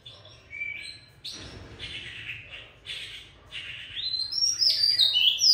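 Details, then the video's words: Oriental magpie-robin, described as a fierce-voiced old forest bird, giving softer scratchy notes that build into bright, rising whistled phrases toward the end. "Giọng ca choè già rừng đanh đá"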